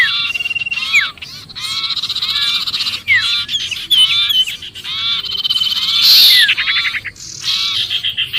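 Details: A trapped-sounding sirpu cries in alarm, a recording meant to lure other birds. Harsh chatter and rattles alternate with bright down-slurred whistles, in uneven bursts with brief pauses and one loud shrill burst.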